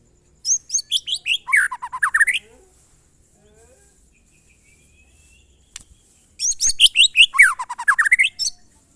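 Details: White-rumped shama in monotonous "glondong" song: two near-identical bursts of about a dozen quick, piercing notes that step downward in pitch, separated by a long quiet gap with a single click.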